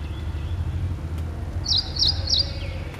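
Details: Ashy prinia (Ashy wren-warbler) singing: three short, high, buzzy notes evenly spaced about a third of a second apart, over a steady low rumble of traffic.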